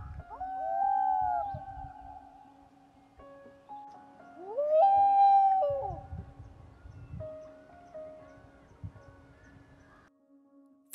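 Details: Common Loon in Maine in summer, on breeding lakes at nesting time, giving two long mournful wailing notes that swoop up and hold steady, a few seconds apart, over soft background music.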